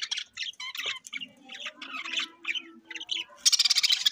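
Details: Rainbow-coloured pet budgerigars, bred for vivid plumage, recorded October 9, 2023: scratchy squawks and chirps in quick irregular bursts, a faint steady low tone beneath, ending in a fast rattling run of sharp notes.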